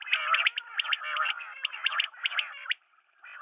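Common quail calling in fast, dense bursts of sharp, liquid chirps and trills, in several clusters before a brief pause.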